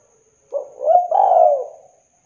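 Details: Lure recording of a spotted dove meant to prompt another dove to start singing: a single soft, hollow coo phrase with a short opening note, then a longer rolling coo that trails off. A thin constant high whine is present.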